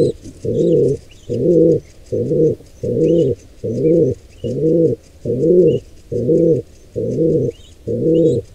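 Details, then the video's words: Pigeon nestling attacked by two wild intruders; a long run of ten low, even coos repeating a little faster than once a second, with light background twittering. "Pigeon Nestling/ Squab attacked by Pigeon Intruder Pair"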